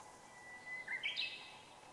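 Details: Japanese grosbeak, recorded 12 July 2015: a short, clear whistled phrase that slides upward and ends in a higher note, against a quiet background hiss.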